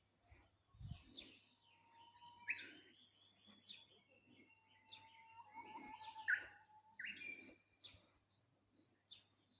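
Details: Japanese bush warbler singing: long, steady whistled notes, each followed by a quick higher flourish, repeated twice. Other small birds chirp in the background over a low steady hum.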